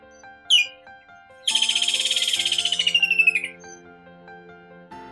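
A Stork-billed Kingfisher gives one sharp falling note, then a fast harsh chatter of about twenty notes lasting two seconds that ends in a downward slur, over background music.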